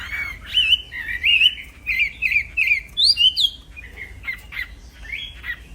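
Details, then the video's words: Singing black-throated laughingthrush used as a training tutor, said to rattle rival birds: a string of separate whistled phrases with zigzag inflections, one strong rising-falling note near the middle, then softer short notes. "Burung Wambi Gacor Plong fighter Yang Bikin Kena Mental Burung Wambi Lain, Masteran Kicau Tanpa Jeda"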